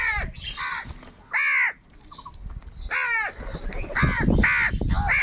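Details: Harsh, hoarse cawing from angry crows fighting for food, one loud caw after another with brief pauses, the calls growing denser toward the end.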